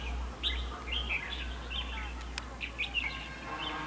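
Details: Red-whiskered bulbul singing at a fighting-decoy trap: a few scattered warbled and slurred phrases, fairly faint, with one sharp click near the middle and a constant low hum underneath.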